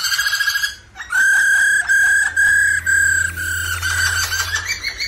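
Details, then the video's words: Black-throated laughingthrush, urged on by a female's rolling call, holds a steady ringing whistled tone broken into long repeated segments, rich in overtones, after a brief pulsing opening. "Chim khướu Bạc Má hót múa tiếng mái ro ro kích tróng"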